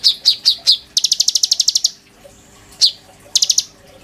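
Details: Purple-throated sunbird kept in captivity, singing loudly as a lure and tutor song for young birds. Four separate high chips are followed by a fast, even run of bright ticks, then a down-slurred note and another short burst.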